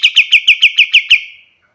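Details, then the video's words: White-shouldered triller, recorded as a master song for training other birds, delivering eight loud, evenly spaced downslurred chirps in just over a second before trailing off. "Suara kapas tembak paling bagus untuk masteran burung lain"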